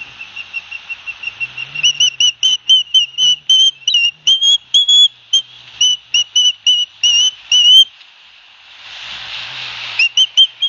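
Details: At Barnegat Light, New Jersey, on 9 September 2021, two osprey chicks receiving fish from their father call nonstop: rapid high whistled chirps, some slurred upward, with a burst of hissing noise before the final notes.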